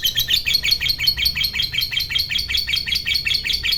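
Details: Fighter lovebird chattering at length in ngekek style, intended to stir other lovebirds: rough, choppy bursts of high, scratchy notes repeated quickly and without a break, with low background rumble.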